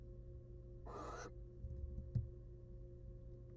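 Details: Wild female barn owl at a nest box, returning to her eggs after eating a whole rat, gives one harsh, hissing screech lasting about half a second over a steady low hum, followed by a faint knock.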